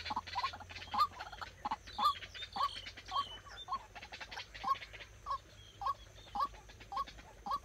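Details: White-breasted waterhen used as a trapping decoy, calling steadily: a long series of hoarse, upward-inflected notes about twice per second, with softer interspersed clucks.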